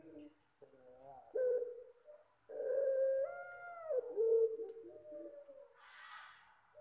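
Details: Puter Pelung dove calling softly as a bird lure: wavering coos and smooth rising-then-level notes run together, followed by a short hissing noise burst.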